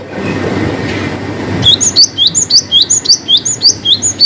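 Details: Long 'wucit' song of a cinereous tit with variations, played to coax silent birds: after faint background noise, a steady series of sharp, high, upslurred-then-dropping whistles repeated nearly twice per second.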